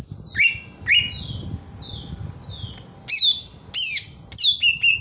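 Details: Greater green leafbird giving its wild, forest-style "ngalas" song: sharp, high whistled notes that each drop steeply in pitch, delivered singly or in pairs with pauses of up to a second, over quiet background.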